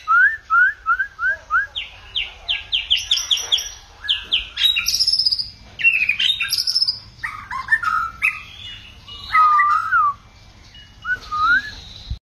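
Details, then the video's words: White-rumped shama singing a rich, varied run of clear whistles, quick trills and sliding phrases, switching patterns every second or two, used to stimulate other shamas to sing with many voices. "kích chòe lửa hót,chòe lửa hót nhiều giọng"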